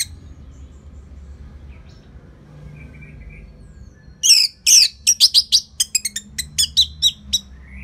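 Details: Orange-headed thrush singing a steady 'gacor' song used to coax other birds into singing. About four seconds of near quiet, then a quick run of sharp, high whistled and chirped notes in a tumbling series.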